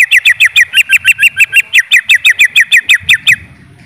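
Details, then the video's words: Greater green leafbird delivering a rapid, even series of about seventeen short, bright notes at a steady pitch, roughly five per second, ending abruptly, followed by faint low background noise. "Suara Burung Cucak ijo"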